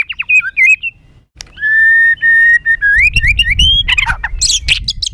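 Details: White-rumped shama singing roughly and emotionally to provoke other birds: warbled whistles, long steady whistled notes rising in steps, then harsh scratchy chatter with some low background noise.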